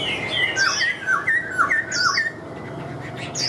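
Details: Caged Chinese hwamei in Vietnam, described as singing like a machine once hung up. Series of short descending whistled notes with higher sweeping accents, loud and rapid.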